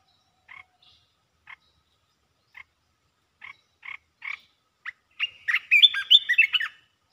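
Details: Red-whiskered bulbul singing rapid 'poet dok' song phrases: a few short, spaced chirps, then a dense burst of bright, warbled, fluttering notes near the end. The background is quiet.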